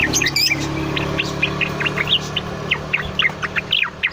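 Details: Cucak Loreng bulbul singing diligently, used as a master song or long-duration lure for cage birds: irregular sharp chirps and brief rising notes over a continuous low hum.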